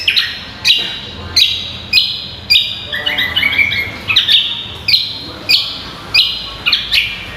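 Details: Green magpie (cucak kombo) on a training recording for songbird contests: strong, ringing whistled notes delivered roughly every 0.6 seconds, with a brief run of softer, rapid chatter in the middle.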